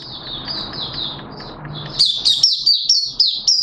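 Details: Caged Malaysian oriental white-eye singing open song: soft, thin high notes at first, then a louder burst of quick, sweet chirped phrases, several per second.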